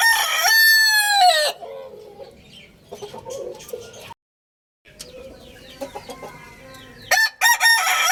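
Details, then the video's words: Rooster opening with a full, loud crow that rises then falls, followed by quieter scattered clucks and murmurs, a brief silence, and short loud crow fragments near the end. "Roosters Crowing Compilation | Rooster Crowing Sound Effect"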